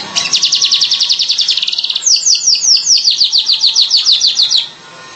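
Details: Streaked weaver: two quick bursts of rapid, buzzy, high chattering notes, each about two seconds long, with the second burst starting with sharper downslurred notes and ending abruptly.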